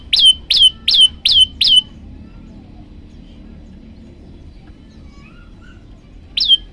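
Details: Olive-backed tailorbird master song for training birds, a quick string of five ringing upslurred notes, then about four seconds of near silence before a single matching note returns.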